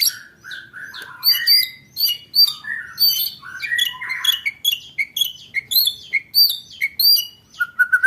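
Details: White-rumped shama in rapid 'roll tembak' delivery for training contest birds: a fast string of varied whistled phrases and high chips repeated roughly twice a second, ending in a short wavering trill.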